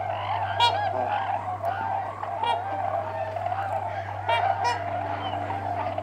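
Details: Four or five Trumpeter Swans, just landed close by, trumpet together in a steady stream of deep, nasal, horn-like honks, with Tundra Swans calling in the background; a constant low hum and a few sharp clicks behind.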